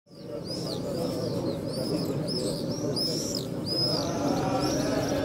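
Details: Swifts flying over the Western Wall on 12 May 2021: high, arched screams repeated in overlapping series from several birds, above a steady murmur of crowd voices.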